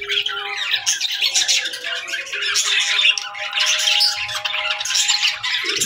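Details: Small birds chirping, presented as calming sounds: dense, busy warbled chatter with scratchy squawks, continuous for about six seconds, over a steady low electrical hum.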